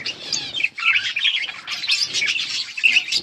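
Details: Budgerigars chatter on August 19, 2024 in rapid, overlapping high chirps and twittering warbles, with two short dips in loudness.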